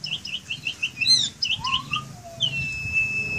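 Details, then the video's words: Asian pied starling kept in a cage: a rapid string of repeated chirps, a harsh note, a lower rising slurred whistle, and a long flat high whistle, with low background hum. "Jalak Suren Gacor Dalam Sangkar"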